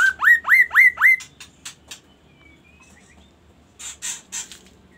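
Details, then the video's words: 'Kaso kaso' song of a magpie-robin: four strong, rising, whistled notes in quick, even succession, then clicks and a short faint whistle, with rough, noisy bursts near the end. "KASO KASO Berbunyi MURAI"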